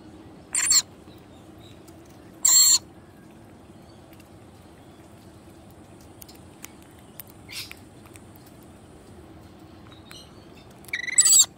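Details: Wild rainbow lorikeets, a familiar pair with their baby, give four short, harsh, shrill screeches, spaced irregularly over about eleven seconds, against a low steady background hum.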